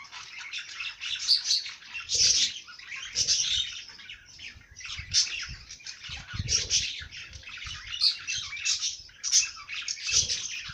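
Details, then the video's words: Dense bird chorus: repeated rich phrases of high chirps and trills rising and fading every second or so, with soft low thumps beneath. "Bird sing song madár ének"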